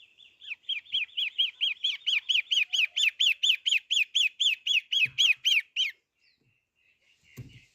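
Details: Long-tailed shrike singing actively: a fast run of about twenty arched, clear notes, roughly four per second, growing louder then stopping abruptly, followed by a soft thump and near silence.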